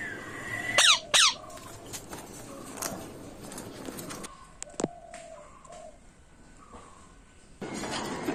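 Two loud, harsh screeches from a ringneck parrot close together near the start, then quieter scattered chirps and a burst of rustling noise at the end.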